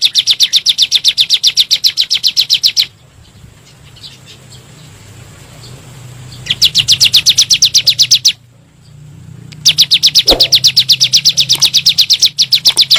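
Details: Bar-winged prinia singing in the rapid 'nembak' style, used as a lure for kept birds: three long bursts of high, piercing chirps delivered about four per second, with quiet hissing pauses between them.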